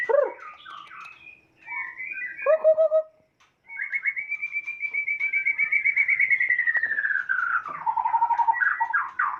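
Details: Kota Agung x Medan Balak (Nias) White-rumped shama from Sumatra gives mixed whistled phrases, a brief pause, then a long fast-repeated trill that rises, holds and slowly falls before ending in rich warbled notes.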